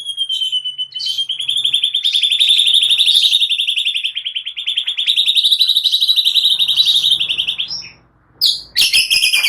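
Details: Provoking lure song of a white-rumped shama, said to be full of cililin and prenjak phrases; a long unbroken rapid trill held at a steady high pitch for about eight seconds, then scratchy chatter.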